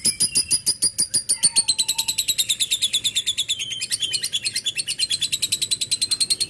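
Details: Lovebird giving its long rattling 'ngekek' chatter, a rapid string of harsh high notes about three per second that slides slightly lower over several seconds, with a faint whistle near two seconds.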